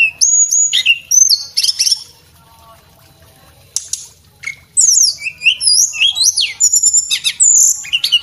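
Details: Male Sunda robin singing as a tutor for caged birds: bursts of thin, high whistles and chattering trills, a two-second silent gap, then a lively run of slurred, rising and falling notes.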